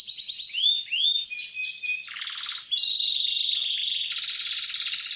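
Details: Canary song used as a training master, labelled speed roll: fast trills and buzzy rattles between 2 and 6k, short rising whistled slurs, a steady trill section, then a coarse rapid rattle, continuous and loud.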